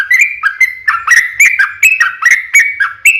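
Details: Lure song of a yellow-vented bulbul, long rapid 'ropel' style, to provoke answering birds: crisp whistled notes with clicky attacks, about three each second, some sliding upward.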